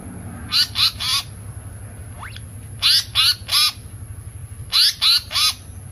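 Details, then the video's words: Pied fantail, known locally as seriwang or tali pocong, from a bird-trapping lure track: harsh, scratchy chack notes in three bursts of three, about a second apart, with one faint rising whistle between. "suara pikat burung seriwang/tali pocong"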